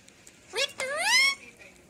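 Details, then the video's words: A pet talking parrot utters two quick voice-like syllables in a quiet room, a short rising note then a longer sliding one. "cute बोलने वाला parrot🦜"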